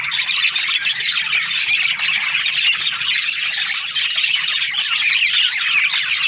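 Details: Breeding-season budgies chirping happily, an unbroken chorus of high raspy chatter with occasional clearer whistled notes rising above the flock.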